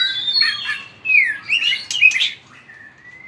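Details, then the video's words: White-rumped shama in competitive song with strong tail-flicking: smooth whistled notes that glide downward, a quick cluster of warbled syllables, then a long, soft whistle that rises slowly. "chòe lửa hót đập đuôi cực mạnh"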